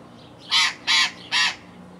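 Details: An Australian ringneck of subspecies Barnardius zonarius zonarius gives three harsh, grating screeches in quick succession, each about a fifth of a second long, over quiet background hum.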